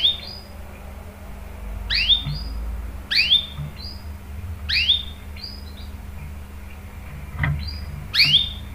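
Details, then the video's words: Canary chirps used as a lure to get other canaries singing: five sharp, down-sweeping 'cuit' notes spaced roughly one to one and a half seconds apart, over a steady low hum. "PANCINGAN KENARI GACOR cuit cuit bikin NYAUT ikut BUNYI NGEROL PANJANG ¦ CANARY SINGING"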